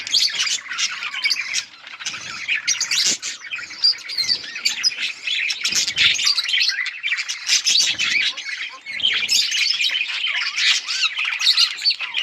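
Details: Budgerigars in bright colours chirping nonstop, a thick layer of overlapping high twitters, buzzy notes and quick whistles, from several birds at once.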